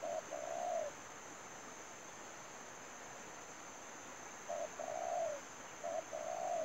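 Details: Spotted dove used as a lure for trapping, calling in two bursts: a short note then a longer falling coo around the middle pitch, with long silent gaps and a steady high hiss throughout.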